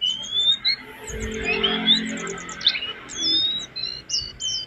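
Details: Jongkangan song as a master for training cage birds: high chirps and rising thin whistles in bursts, with a low muffled rumble behind the opening notes.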